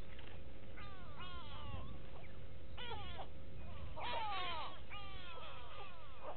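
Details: Several go-away birds at the Gowrie dam waterhole in Sabi Sand Wildtuin, South Africa, 06/06/18, call repeatedly: overlapping nasal, descending wails in quick succession, some with a buzzy edge, above a low rumbling background.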